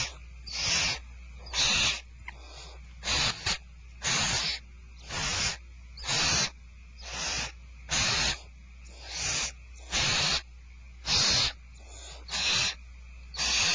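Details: At feeding time on 2/1/12, Starr Ranch barn owls produce a long series of short, harsh hissing screeches, some clustered in quick pairs, about one a second, with a steady low hum throughout.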